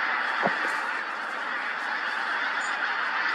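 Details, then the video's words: Many pink-footed geese calling together at Montrose Basin while moving as the tide went out: continuous dense honking chorus, one low thump near the start, a faint high squeak later, the overall roar even and sustained. "Pink-footed Geese - Montrose Basin"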